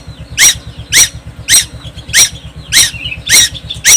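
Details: On Timor Island, a young tuwu sings without pause: piercing scratchy notes repeat steadily every half second, with brief soft chatter between them, and a low mechanical drone runs throughout.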